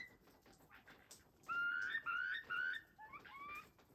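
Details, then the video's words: A wild turkey on a ranch in Westbrook, British Columbia, 26 September 2023, gives three loud, clear, slightly rising notes about half a second apart, then a couple of softer ones over a quiet background. "What Sound Do Wild Turkeys Make?"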